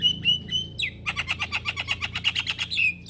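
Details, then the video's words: Male Javan myna singing to call young companions: three clear whistled notes, a rising slurred whistle, then a fast run of about fourteen short, harsh chattering notes ending in another whistled slur. "Kicauan Jalak Kebo Jantan Memanggil Kawan Jalak Kebo Muda"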